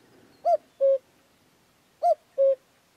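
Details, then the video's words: Common cuckoo singing freely in Extremadura, giving two repeated cu-coo calls: a short higher hoot falling to a steadier lower one, pairs spaced about one and a half seconds apart, with little else audible. "Canto del cuco común"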